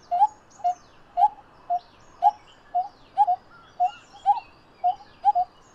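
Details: A pair of coppersmith barbets (Psilopogon haemacephalus) calling: low, hollow 'tuk' notes about twice a second, at times doubled as two birds overlap, with faint chirps of other birds behind.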